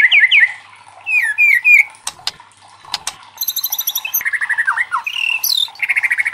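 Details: White-rumped shama in loud challenging song meant to prompt other shamas to sing, mixing looping whistles, sharp clicks, rapid high trills and quick repeated chattering notes.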